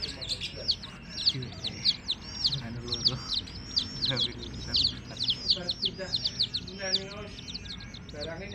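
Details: Baby chicks of a hen calling in a busy stream of high, downward-slurred peeps from several birds, with low voices and scattered thumps in the background.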